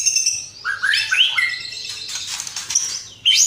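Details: Persistent White-rumped shama song used as a training recording, with fill-in phrases of house sparrow, lovebird and sooty-headed bulbul; a tumbling series of clear descending whistles, then a dense high chatter ending in a sharp rising note.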